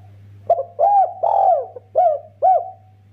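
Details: A loud spotted dove in full voice, its quick call with doubled 'kuk' notes intended to prompt other doves: five hollow coos in about three seconds, the middle one long and drawn out, over a steady low hum.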